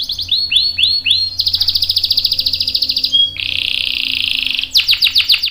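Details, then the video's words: Canary in full song, used to lure others into answering: repeated bright upswept chirps, then long fast rolling trills held for seconds, with a faint low hum behind. "PANCINGAN KENARI GACOR CUIT CUIT bikin NYAUT ikutan BUNYI Ngerol panjang | CANARY SINGING"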